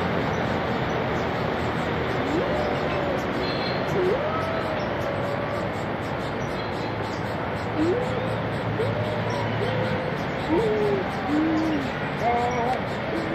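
Guianan cock-of-the-rock giving low, nasal, upslurred whoops, about one every second or two, some overlapping, over a steady rushing background hiss.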